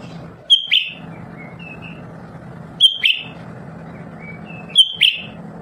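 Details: Lesser green leafbird, a continual singer, gives three sharp whistle-and-chip phrases roughly every two seconds, with short soft whistled notes between them, over constant low background hum.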